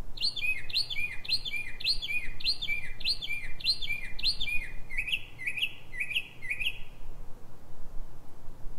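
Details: Singing Northern mockingbird in Silver Spring, Maryland, USA, before dawn at 3:44 am: a fast run of about a dozen repeated downslurred chirps, then a switch to a softer, different repeated note, several times per second.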